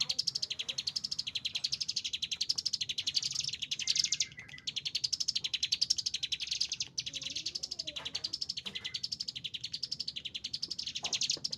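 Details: Agitated caged Chinese hwamei delivering a long continuous song of rapid, high, rattling repeated notes that rise and fall in waves, broken by short gaps, with faint lower whistles in the background.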